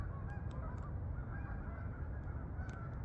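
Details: Flying geese bound for fields near Farmington, Connecticut meadows; several nasal honks overlap in quick succession against a strong low rumble, with brief clicking sounds.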